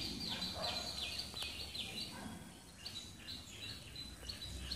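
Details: Tickell's blue flycatcher, Sri Lanka: high, thin whistled notes that dip and rise, repeated in short phrases about every second, set against a constant wash of background noise.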